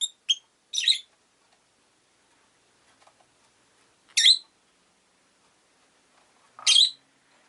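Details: Rosy-faced lovebird kept as a pet, calling in short piercing shrieks: a quick cluster of three sharp chirps at the start, then two more spaced calls several seconds later, with quiet stretches and faint background sounds between.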